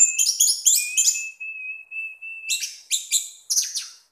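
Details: Caged orange-headed thrush, known locally as punglor or anis merah, kept as a pet bird, singing in a relaxed style: rapid buzzy chattering phrases, then a long steady thin whistle, then short scratchy bursts repeated about every half second.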